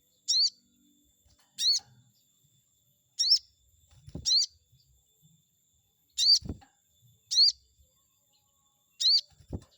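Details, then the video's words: Chestnut-backed scimitar babbler used as bait to provoke rival birds: high, thin, upward-sweeping squeaks repeated every second or so, with a few low dull knocks in between. "pancingan burung sogon auto emosi || bikin respon sogon lawan"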